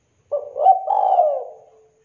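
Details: Spotted dove in strong voice giving a single drawn-out coo, warm and mellow, swelling upward and then gliding down into a soft tail.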